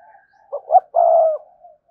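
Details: A single phrase from a spotted dove kept to attract wild doves: two quick rising notes followed by a long, even, hollow coo, with faint murmuring before and after.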